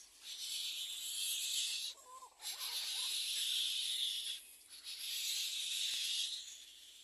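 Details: Little Egret chicks in the nest beg their parents for food with long, harsh, hissing rasps, each one to two seconds and repeated in bursts, with a few brief squeaky notes between.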